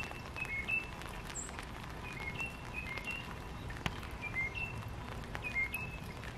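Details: Backyard birds in Missouri, North America: short, thin whistled notes come in pairs and small groups throughout, fairly soft, with faint clicks and outdoor background noise beneath.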